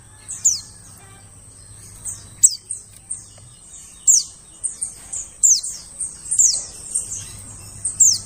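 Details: White-eye call used to lure birds in the forest: repeated piercing chirps that drop quickly in pitch, sometimes paired, coming every second or so, with a low hum at the start and again near the end.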